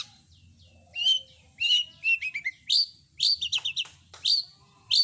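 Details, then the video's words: Long-tailed shrike singing clearly with mimicked notes: short bright whistles and chattering clusters of quick chirps, phrases spaced irregularly with brief pauses between. "Masteran burung CENDET gacor isian lengkap"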